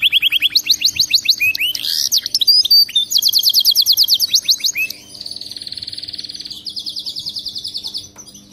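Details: Singing canary on a training track: strong rolling trills of fast repeated notes, some swept downward, shifting into an even buzzy roll and a final rapid trill.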